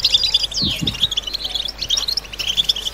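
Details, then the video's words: European goldfinches twittering together to stimulate silent birds and females toward mating song: dense high chattering trills and buzzy notes, with one clear descending slur early on and a few low thumps. "بتبتة حسون جماعية ضرورية لعلاج سكوت+تحفيز إنات لحسون قوى بتبتة جماعية لتحفيز حسون على تغريدة تزاوج"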